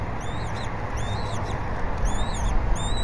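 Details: At a Berry College bald eagle nest on 20 February 2019, during a fish feeding of the eaglet by its mother: paired high piping chirps with curving, bending pitch, several in quick succession, above heavy low wind noise.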